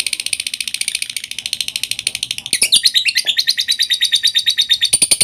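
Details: Lovebird used as a lure to get reluctant birds singing: a long, fast, high-pitched chattering trill of evenly pulsed notes, about three per second, growing louder and sharper midway with piercing whistled overtones.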